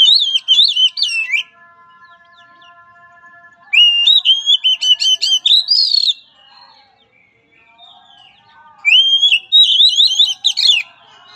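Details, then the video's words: Oriental magpie-robin song for therapy training of a weak-spirited bird: three loud bursts of varied whistled and trilled notes, swooping up and down. Between them come steady faint tones and soft chatter. "Latihan Suara Terapi Kacer Lemah Mental"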